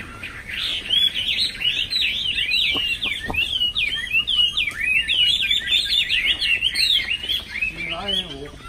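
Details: Chinese hwamei, a caged bird, pouring out a rich, fast song of looping whistled notes and trills, pitch swooping up and down continuously, with faint clicks and a murmur of background voices.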